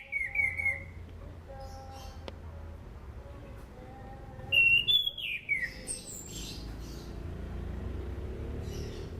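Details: Orange-banded thrush song, recorded as a lure for training other cage birds: clear whistled phrases sliding downward, several bursts in quick succession with a long quiet gap between groups, over a low background hum.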